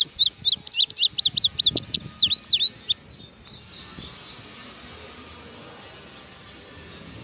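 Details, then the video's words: Out of the cage, a blue grosbeak sings a brisk three-second string of high, sharp chirps and slurred notes at an even pace, followed by several seconds of near silence with faint background hiss. "azulejo cantando fuera de la jaula"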